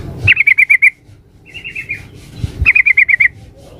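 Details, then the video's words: Female yellow-vented bulbul calling the male, played as a lure: two quick stuttering trills of about six bright notes each, with a softer, lower-pitched and slightly falling rattle between them, faint thumps underneath. "suara pancingan trucuk betina memanggil jantan"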